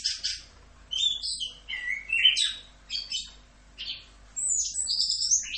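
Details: Anis kembang (chestnut-capped thrush) masteran, full Rock'n Roll: loud, varied phrases of slurred whistles and chattering notes, high in pitch, with a quiet pause before a final rush of song.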